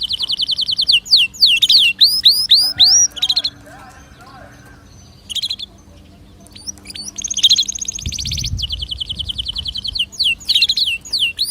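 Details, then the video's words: Canary song meant to stimulate other birds to sing: rising rapid whistled phrases and fast trills in bursts, with quieter lower murmuring and a brief low thump between phrases. "هل تبحث عن تغريد كناري يحفز طيورك على الغناء أسمعه"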